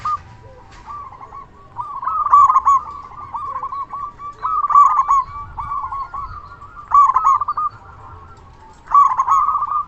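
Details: Big-voiced local zebra dove calling steadily to lure other doves into answering. Four phrases of quick, bubbling coos sound roughly every two and a half seconds, each loud at the start and trailing away.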